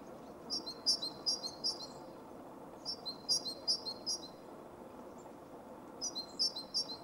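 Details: Male Great Tit (Parus major) in Zagreb, Croatia, January–February 2015, at sites including Jarun, Gredice and a sports park. Three bursts of bright, high, rapidly repeated two-note phrases with short pauses between, over a steady low urban rumble.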